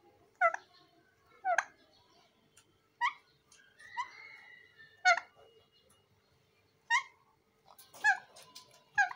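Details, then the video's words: Green parrot giving harsh, screechy squawks, each a short burst repeated about every one to two seconds, with one longer drawn-out note in the middle; a faint steady hum underneath. "Green parrot sound|| Parrot talking"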